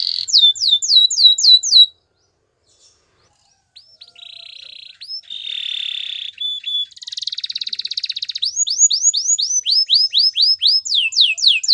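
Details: Belgian singing canary, singing to seduce other canaries: fast downslurred whistles, a short pause, buzzy rolled phrases and a rattling trill, then renewed rapid sweeping notes.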